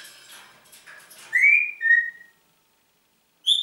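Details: Pet Congo grey parrot whistling indoors over soft clatter: a bright rising whistle, then a long steady whistle that falls slightly. A brief high whistle starts again after a pause.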